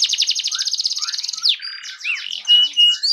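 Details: Song of a fan-tailed canary, used to get other canaries singing: rapid trill of repeated falling high notes, then a buzzy section with looping whistles and brief pure tones near the end.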